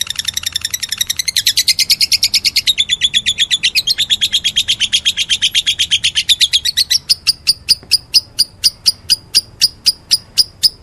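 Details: Lovebird calling meloloh style: a fast, dense stream of piercing chirps for about seven seconds, then a slower series of separate sharp, high chirps.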